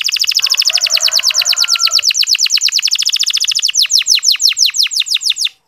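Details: Clear, long local canary song offered to encourage less eager male canaries to sing: a long fast series of evenly repeated chip notes, shifting into slower, wider descending sweeps near the end.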